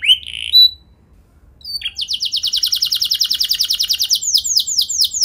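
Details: Canary song used as a lure to prompt other canaries to answer: two short whistled notes, a pause, then a long fast buzzy trill of rapid repeated notes ending in sweeping downslurred syllables.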